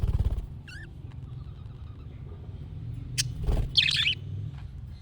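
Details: Budgerigar calling in the chick-like style said to make pet budgies answer: one wavering, rising-and-falling whistle, then later a short burst of harsh chattering, with faint background hum.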